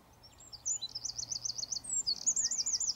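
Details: Eurasian wren delivering shrill, fast rolling trills and piercing high notes in a continuous energetic run.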